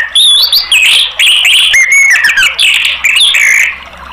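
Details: Orange-headed thrush song used as a therapy recording to prompt other caged birds to sing: a rich, continuous run of loud whistled and warbled phrases, rapidly varied, sweeping between rising and falling notes with scratchy fragments, nearly unbroken for four seconds.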